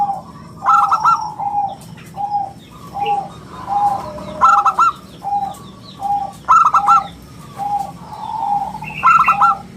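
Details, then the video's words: Zebra dove, local perkutut, in lively 'bulat kristal' song kept to lure and train other doves: short phrases of a bright stuttering trill followed by soft level coo notes, repeated about every two to three seconds. A low steady hum runs underneath. "suara bulat kristal - perkutut lokal gacor suara istimewa buat pancingan dan masteran"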